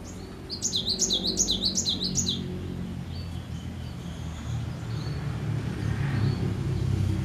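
Cinereous tit giving a fast run of about six bright, high, repeated two-note phrases over a low background rumble.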